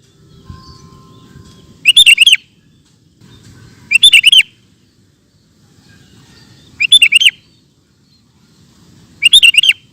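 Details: Kutilang, the sooty-headed bulbul, repeating a loud, clipped burst of several bubbly notes four times across ten seconds, gaps of two to three seconds between bursts, soft low rumble in between.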